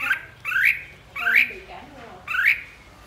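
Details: A red-whiskered bulbul, leader of its flock, sings 'ché': four loud, rising, slurred whistled phrases spaced about half a second to a second apart, with a faint murmur beneath.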